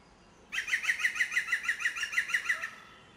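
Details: In a tree at the Vallée du Goëlo, Ploufragan, Côtes d'Armor, in 2011, a hidden European green woodpecker gives its loud laughing yaffle, a fast ringing series of about fourteen sharp, slightly falling notes lasting two seconds.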